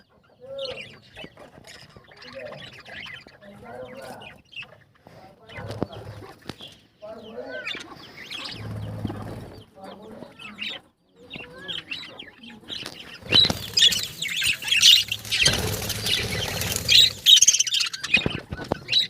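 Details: Caged breeding budgerigars with eggs and chicks give scratchy, warbling chirps, then a burst of loud rustling and flapping near the end.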